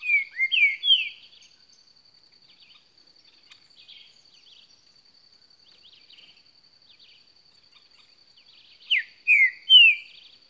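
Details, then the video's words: Green-winged saltator in heavy song: a short burst of three sliding whistled notes, then a long quiet gap with faint chirps, then another three-note descending whistled phrase, all over a steady high whine. "Trinca ferro cantando muito"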